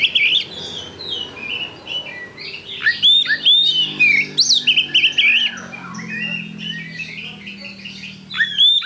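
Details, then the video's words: Kacer, the Oriental magpie-robin, in full energetic song for use as a pancingan lure: sweet whistles, sharp rising and falling slurs and buzzy chatters in quick bursts, easing into softer twittering near the end. "Pancingan Kacer Gacor"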